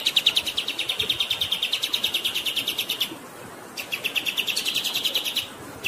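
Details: Kapas tembak (black-winged flycatcher-shrike) delivering long 'ngerol' rolling song for training other songbirds, flowing water behind: rapid, even chirps of about three a second, a short pause, then the chirp series resumes.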